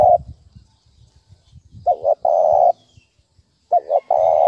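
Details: Spotted dove 'thúc bổi' lure call: a phrase of two quick cooing notes and then a long steady coo, heard about twice, over faint low background thumps.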